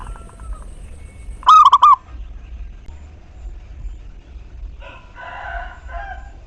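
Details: Zebra dove, a local bird, singing as a lure to prompt others to sing. A single loud phrase of three to four rolled cooing notes, with a brief burst of harsher background sound later.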